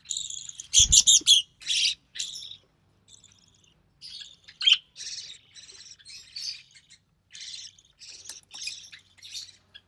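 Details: Budgerigar chick with recessive pied plumage, parents a white recessive pied male and albino red-eyed female, during a feeding: a loud knock and harsh squawks open, followed by softer, rapid, scratchy chattering notes.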